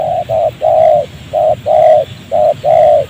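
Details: Wild spotted dove, caught by the leg on a glue-stick trap in a rubber plantation near houses, still cooing back at the decoy. Steady hollow coos alternate short and long, seven notes in about three seconds.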